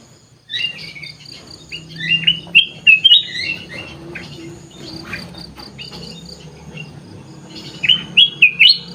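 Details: Sooty-headed bulbul singing in an aviary among other birds: short bright whistled phrases in bursts near three seconds and again near eight seconds. A steady high insect-like hiss runs throughout.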